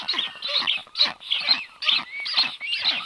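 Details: Wheezing, hoarse bursts from a black stork nest on 9 July 2023 during a visit by strange storks, pulsing roughly twice per second with short rising squeals between them.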